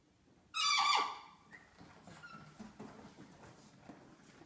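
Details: A pet cockatoo, apparently jealous of a newly arrived parrot being shown affection, gives one loud, harsh, nasal squawk under a second long, followed by soft scuffling and faint indoor sounds.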